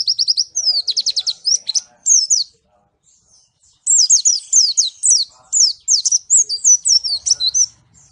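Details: White-eye known as pleci, from Malang, in loud sustained song: fast trills of high falling notes, a brief silence, then a long energetic stream of sharp, varied downslurred whistles in quick succession.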